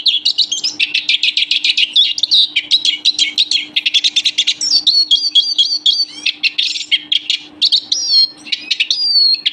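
A Eurasian siskin sings a fast, unbroken twitter of high chirps and trills, with wheezy drawn-out notes near the end, over a faint steady electrical hum.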